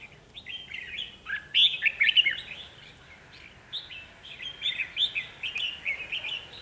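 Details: Red-whiskered bulbul decoy singing to draw wild birds to a trap: lively sequences of sweet, bubbling whistles with sharp upslurs, a loud middle phrase, then steady, chattering notes.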